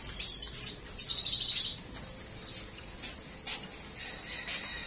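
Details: Morning flowerpecker song from Vietnam: a rapid run of very high, thin twittering notes in the first two seconds, then scattered soft high chirps. A constant high-pitched hum continues in the background.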